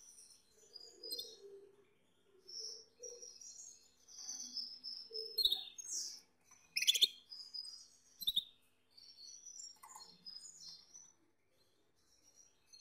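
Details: High warbling song from a male Gloster canary beside a female: clusters of bright whistles and quick trills in several phrases, broken by brief silences, loudest near the seven-second mark.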